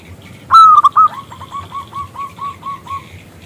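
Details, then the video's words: Zebra dove, a local perkutut with a loud, clear voice, luring a male to sing: one loud sharp burst of three coos, then a slowing run of about ten softer, evenly spaced notes. "PERKUTUT lokal Gacor Suara BESAR Kristal Memanggil JANTAN ngajak BUNYI"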